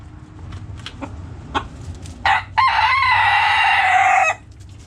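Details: Scattered hen clucks sound among backyard chickens before a rooster crows. A short harsh opening note and a brief gap lead into a long, loud, steady crow of almost two seconds.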